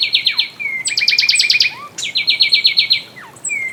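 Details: More fulvous wren vocals: rapid layered trills in two pitches run almost continuously, broken by long falling and rising whistled slurs, loud and busy throughout.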